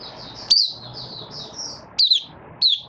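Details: Malaysian white-eye opening into song during minor moult, 24 August 2023: a soft, continuous high warble of drawn-out wavering notes, broken by three sharper, louder slurred chirps, with steady background noise.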